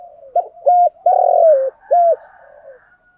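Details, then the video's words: Spotted dove acting as a decoy to lure wild doves, giving one coo phrase of short note, flat coo, long falling coo and flat coo, with faint cooing before and after. "chim cu mồi thúc gù bài bản nhất hiện nay, chim cu gáy kích bổi hiệu quả nhất hiện nay"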